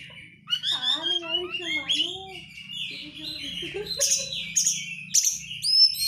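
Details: White-rumped shama lure song meant to provoke other birds into singing, packed with 'crecetan' chatter: varied whistled and slurred phrases, lower warbles, then sharp harsh bursts roughly every half second over a faint low hum.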